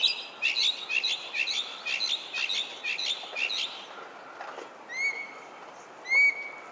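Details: Back-yard bird in San Francisco at sunset, 31 July 2014, giving a burst of rapid buzzy high notes followed by two clear rising whistles about a second apart.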